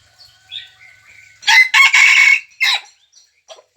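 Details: Crowing red junglefowl decoy bird, 3 March 2020: faint thin whistles first, then a strong broken crow of three rasping syllables and a clipped last note. A few quiet ticks follow.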